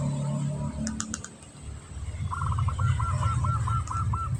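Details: Local zebra dove of the 'kantong semar' type in breeding condition, singing a rapid 'ngretek' series of short, quick repeated coo notes in the second half, over a low steady hum.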